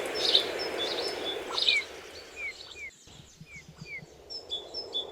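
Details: Eurasian bullfinches feeding on rowan in winter give soft, short downslurred piping notes about once every half second, with higher thin chirps from other small birds and a steady background hiss.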